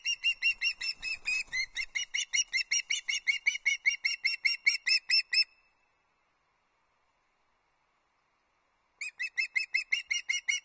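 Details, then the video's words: Juvenile osprey chick at a nest at Loch Arkaig, 31 August 2022, fish calling for food from her father: sharp, piping whistled notes repeated about two and a half per second, a pause of silence, then the calls resume. "Sarafina arrives on the nest - fish calling"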